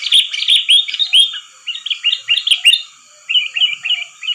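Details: Trapping lure of sooty-headed bulbul calls: cheerful warbled chirps in rapid clusters separated by brief pauses, with sharp high clicks mixed in.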